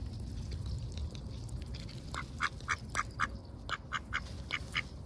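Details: Ducks on a heavily overcast day, lively and going about their daily routines, filmed close up: a run of short, harsh quacks in the second half, several in quick succession over steady low background rumble.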